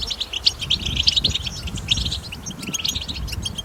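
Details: European goldfinch in the wild, a recording meant to prompt goldfinches into song, pours out quick high twittering chirps and liquid trills in a continuous stream over faint low background rumble.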